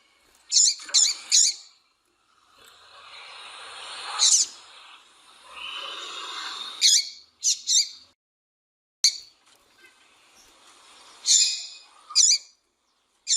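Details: Female double-collared seedeater calling to stir males into singing: sharp, high chirps in quick triplets, then single chirps, then pairs, separated by stretches of soft rushing hiss.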